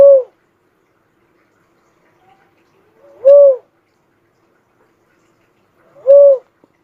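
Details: Uncal, a cuckoo-dove, calling with three low, mellow hooted coos spaced about three seconds apart, each short and gently arched, with near silence between them.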